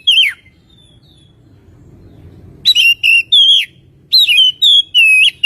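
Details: Lure song of an Oriental magpie-robin meant to make birds sing: one sharp whistle, a quiet stretch, then a run of bright, slurred whistled notes with upward and downward inflections.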